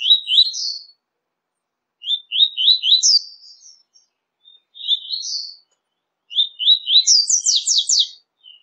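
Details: Double-collared seedeater song from a five-song mix used to stimulate kept birds: several short phrases of quick chirps, the last climbing into a fast, high trill, with clean silence between phrases.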